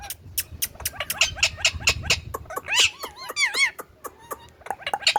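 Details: Indian ringneck parrot chattering with rapid clicks and sharp notes, breaking into wavering, warbled whistles midway, then more scattered short chirps and clicks.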